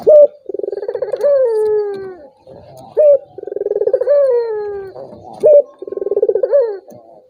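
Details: Turtle dove calling, a recording used to stir a quiet rival into answering. Phrases recur roughly every two and a half seconds: a clipped high note, a fast pulsing trill, and a smooth coo that drops in pitch.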